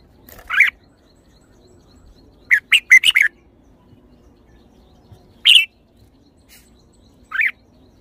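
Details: Red-whiskered bulbul song of jaunty phrases: a single note, a fast cluster of four clipped warbles, then two more isolated bright notes spaced a couple of seconds apart.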